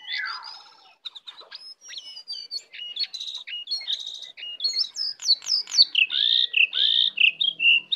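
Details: Wild lesser shortwing arriving to attack, singing a fast, varied jumble of high whistled and slurred notes with short rattles. The phrases grow louder and more rhythmic toward the end, with quick rising and falling whistles.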